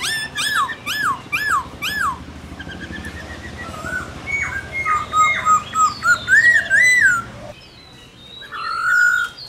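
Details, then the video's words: Forest-style laughingthrush song: a burst of repeated sharp arched notes, a jumble of varied whistles and chatter, then a louder run of slurred phrases and a lone level whistle after a pause. "Khướu Hót giọng rừng NHIỀU GIỌNG HAY"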